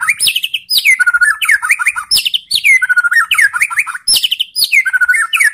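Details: Provoking song of a White-rumped shama meant to make other shamas answer, dense repeated phrases of high sweeping whistles dropping into quick warbled notes, repeated roughly every second and a half.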